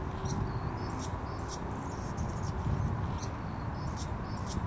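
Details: Male Anna's hummingbird singing: a faint, thin, scratchy squeaky phrase of very high bursts repeated about twice a second, over steady low rumbling background noise.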